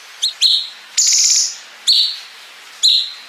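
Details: Bulbul known as cungkok giving a master song for contest birds, with bren fill and ngepik notes: a quick double chip, a long harsh buzz, then two sharp clipped whistles spaced about a second apart.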